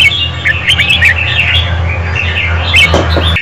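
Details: Female red-whiskered bulbul singing to stimulate a male, a steady stream of chirpy warbled notes mixed with a prominent low droning hum and some knocking sounds near the end.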